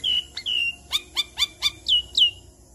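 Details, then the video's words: Adult Javan myna in full voice, used as a lure to get other Javan mynas to answer: clear whistled notes that slide downward, with a run of short sharp chips between them, all loud and close. "Pancingan Jalak Kebo Dewasa Gacor Bikin Jalak Kebo Apapun Cepat Nyaut Di Jamin Ribut Siang Malam"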